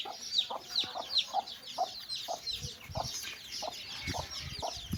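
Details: A broody hen clucks to lead her chicks on a walk, short mid-pitched clucks repeated roughly every half second, while the chicks answer with loud, sharp, falling peeps, strongest at the start.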